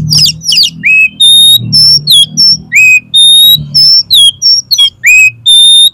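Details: Oriental magpie-robin singing the 'konslet' style meant to provoke another magpie-robin into spreading its tail: loud, fast, varied whistles, with pure sustained notes alternating with down-slurred and up-swept phrases in quick succession.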